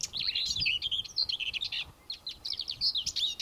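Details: Common whitethroat singing in mid-May on Ona Island and the Hustadvika area, Møre & Romsdal, Norway: fast scratchy chattering phrases of high twittering notes, one burst followed by a shorter choppy run of clicks and whistles.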